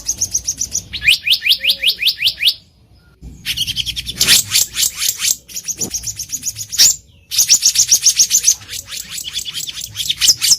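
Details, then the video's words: Wild black-naped monarch delivering long, rapid trains of high, rising notes several times a second, separated by short silences, some phrases harsher and more buzzy. "SUARA ASLI BURUNG KEHICAP RANTING DI ALAM LIAR"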